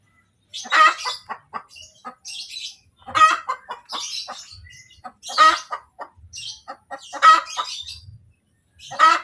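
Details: Domestic hen cackling after laying an egg, a kotek-kotek call: runs of short clucks, each ending in a loud, harsh, drawn-out squawk, repeated roughly every two seconds; faint rustling between calls.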